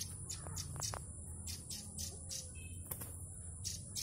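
Yellow-bellied warbler giving short, high, chippy notes in irregular bursts, over a steady thin insect-like whine and low background rumble.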